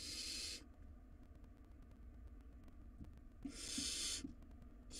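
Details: Wild barn owl chicks at a nest box in a tug-of-war over a rodent. A rasping hiss opens, followed by nearly three seconds of quiet with faint clicks, then a second loud screeching hiss.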